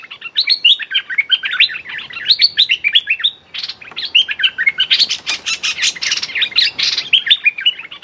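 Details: Captive-bird trapping scene with a decoy streak-eared bulbul calling at a female captive: a long, fast run of sharp chirps and slurred notes with one brief pause, plus scattered harsh bursts.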